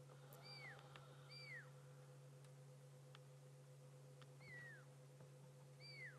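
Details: A Fork-tailed Drongo at sunset on an African safari drive, 26 June, gives clear, high, downslurred whistles in four spaced phrases, mimicking a Pearl-spotted Owl's territorial call, over a steady low engine hum.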